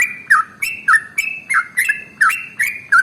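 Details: Yellow-vented bulbul (trucukan) singing an extra-long, rapid 'ropel' style song, used as a lure to get other birds singing. Bright, bubbly whistled chirps with sharp, slurred notes come in quick succession, about three per second, over faint low background noise.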